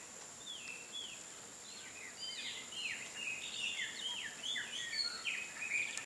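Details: Wild Chestnut-eared Aracaris heard calling freely in nature, a busy overlapping run of quick downward-swooping squeaky notes that grows denser and louder after the first two seconds, over a constant high insect drone.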